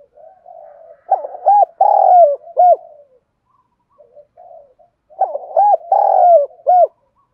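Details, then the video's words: Spotted dove cooing in the Đồng Pha voice style, used to provoke other doves to respond and fight. Two loud phrases, each a short stuttered lead-in, then a long drawn coo between bright hooked notes. Softer coos sound between the phrases. "Tiếng cu gáy giọng Đồng Pha thúc đấu rút bổi nhanh"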